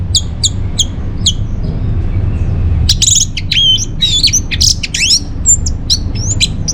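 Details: Orange-headed thrush song used as a lure and tutor song for caged birds. Short bright chirps repeat at first. After a quiet gap comes a burst of varied high whistles and sharp slurred notes over a low indoor hum.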